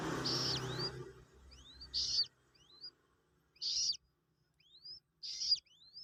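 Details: Hand-raised Common Moorhen chick, two days old, being taught to eat feed: high thin rising peeps every second or so, with short scratchy handling noises between them.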